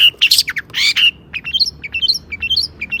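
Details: Long-tailed shrike (cendet) singing to stimulate other shrikes: a couple of harsh screechy bursts followed by a varied string of short high whistled and chirped notes, mimic-like and jumpy in pitch.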